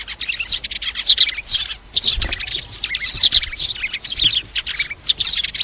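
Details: Sparrows calling the flock, a recording used as a lure for trapping: dense, overlapping high chirps and tweets in quick irregular bursts, with short gaps, forming a busy flock chatter.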